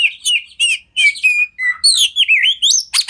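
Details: Kacer song meant to train other kacer: clear whistled phrases, some held and gently wavering, others sliding up and down, delivered about three per second with occasional buzzy edges.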